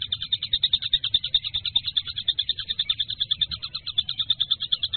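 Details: Kingfisher producing a long, very even series of sharp high notes at a steady pace of more than two per second, with little else heard.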